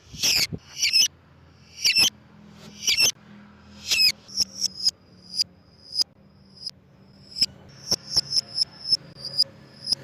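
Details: Lovebird voice for luring lovebirds: harsh squealing bursts open, followed by many short piercing high notes repeated roughly every half second or faster, with a low steady hum.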